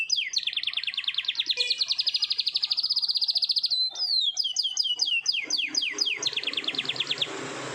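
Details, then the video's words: Canary singing long rolling phrases in the morning: a steady, rapid high trill lasting over three seconds, followed by loud downward-slurred whistles and a closing quick trill, with faint hiss behind. "BURUNG KENARI NGEROL PANJANG // DI PAGI HARI"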